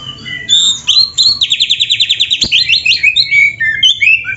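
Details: Kacer, or white-rumped shama, from a training recording for captive birds: short whistles lead into a quick burst of rapidly repeated notes, followed by bright varied slurred whistles.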